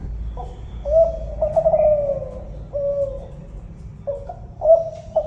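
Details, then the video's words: Tekukur Kelantan, a spotted dove, voices one complete sequence of hollow coos sliding downward, then starts another with quick short notes; faint low background noise throughout. "suara burung tekukur kelantan"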